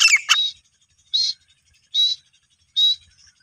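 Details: Female grey francolin (desi teetar) calling: a short harsh burst, then three shrill squeaky notes near the same high pitch, spaced about 0.8 seconds apart, with silence between them.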